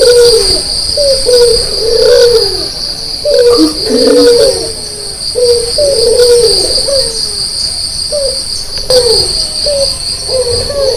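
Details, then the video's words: Morning cooing of a white Barbary dove with red eyes. Low, soft, bowed coo phrases repeat in uneven bursts while a constant shrill insect hum runs underneath. "pagi pagi gacor membangunkan orang tidur - burung puter putih mata merah"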